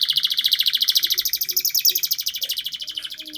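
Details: Domestic canary singing as a lure to coax young canaries into learning to sing: a long, rapid, steady trill of bright repeated notes, about three to four per second pulses merged into a continuous rolling chatter high in pitch, with faint low background noise.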